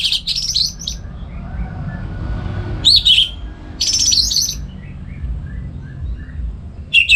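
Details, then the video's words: Orange-headed thrush (anis merah), kept bird in North Bali, singing in the morning in bright, varied bursts of whistled and chattery phrases separated by short pauses, over a low background hum. "ANIS MERAH Ngeplong Gacor"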